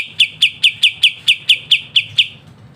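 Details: White-shouldered triller (kapas tembak) singing lively and crisply as a training master song for songbirds: ten sharp, high, clipped notes evenly repeated about four per second, then a sudden stop.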